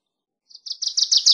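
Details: Wilson's warbler: a quick series of high chips that grows steadily louder, cut off mid-phrase.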